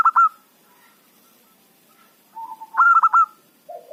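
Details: Local zebra dove lure song for trapping wild birds: a loud burst of rapid ringing coo notes, a quiet pause, a soft wavering coo, a second stuttered burst, then a brief low coo.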